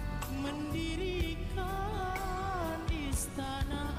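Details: Only music is heard, with a sung voice over instruments and no animal calls.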